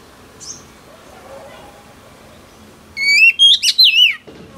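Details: Female oriental magpie-robin, a wild-caught bird, sings a single burst of loud, wavering whistles to excite males after a few seconds of faint background noise.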